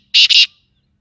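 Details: Black francolin from Sindh, Pakistan: two loud, harsh, grating bursts run almost together in under half a second, then silence.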